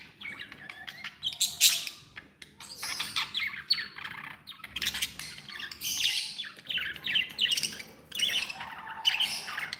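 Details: Several happy pet budgerigars chattering: dense overlapping squawks, chirps and warbles, bright and high, in bursts with short pauses.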